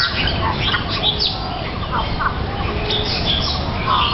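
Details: Golden-crested mynas in an aviary in Hong Kong Park, Hong Kong, trading warbled banter: a busy stream of short chirps, whistles and rapid warbling notes overlapping throughout, with Bali mynas also present sparring over an ear of corn.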